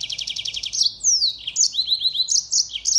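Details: Yellow-fronted canary singing to tutor white-eyes: opens with a fast even rattle, then sweeping whistles and a run of repeated down-slurred notes, all high and bright.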